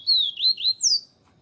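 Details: Siu siu song of a yellow-bellied seedeater (papa-capim), a female calling to excite the male: four clear, high whistled slurs in quick succession, the first three wavering and falling, the last sweeping higher then dropping.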